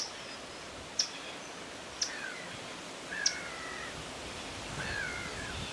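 A common kingfisher gives three short, shrill, very high whistles about a second apart, over steady rushing background noise, with a few lower drawn-out notes.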